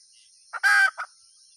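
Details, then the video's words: One hen call: a brief soft note, then a loud, rough, nasal squawk and a short, quieter tail note, heard against a constant thin electrical or insect whine. "suab poj qaib tsauj dib tuaj zoo heev"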